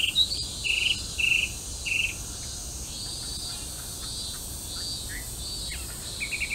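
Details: Chinese hwamei (melodious laughingthrush), a feral bird singing on the Arakawa riverbank in Itabashi, Tokyo: a quick burst of loud, clear whistled notes, then softer repeated phrases, over a steady high insect hum.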